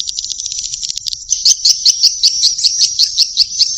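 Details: Young swiftlets give a rapid, even trill. Sharp high pulses repeat about three times a second over a continuous buzzy tone.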